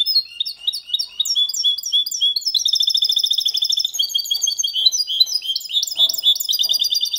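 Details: A clean, faultless song from a goldfinch and canary hybrid (Malaga copy), meant to stimulate hens and tutor young goldfinches; high twittering phrases run without pause, with a rapid buzzy trill in the middle.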